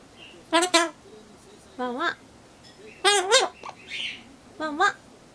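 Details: Captive Solomon Islands cockatoo that began mimicking a neighbour's barking dog; rough, harmonic bark-like syllables delivered singly and in quick doubles about every second, indoors.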